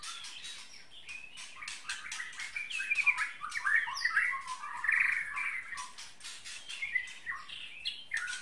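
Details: Bahorok white-rumped shama (murai batu) with a 33 cm tail sings a busy, varied run of warbles and whistles, overlaid by constant rapid clicking and rustling.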